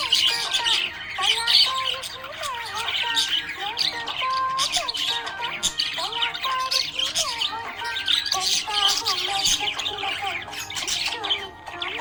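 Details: A happy pet budgerigar warbles at length: rapid scratchy chatter broken by short squawks and quick bending whistled notes, repeated in waves, with light background music.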